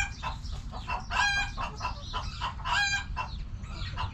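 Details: A flock of backyard hens clucks in quick, pulsing bursts, several voices overlapping, with two louder squawks standing out.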